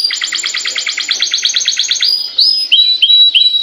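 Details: Canary song used to get other canaries singing: a long fast trill of repeated syllables lasting two seconds, followed by a rising whistle and a few separate bright chip notes.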